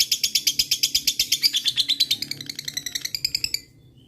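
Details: Lovebird chattering ngekek to call rival birds: a dense, rapid trill of high, buzzy notes lasting about three and a half seconds, then a sudden stop and near silence.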